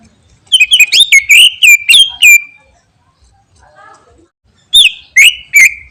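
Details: Greater green leafbird in full, lively song, said to make other birds answer at once: bursts of rapid sharp chips and slurred whistled notes, some rising then dropping, a pause of about two seconds, then another whistled burst.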